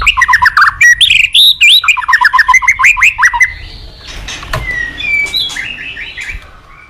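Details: White-rumped shama tutor song for training young shamas: rapid repeated looping whistled notes in quick series, then softer, sparser whistles fading away.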